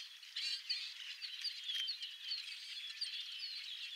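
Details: Red-winged blackbirds flocking in a murmuration over the Napa wetlands: a dense, unbroken chorus of many birds, with overlapping squeaky whistles, thin rising notes and buzzy chips crowding together without pause.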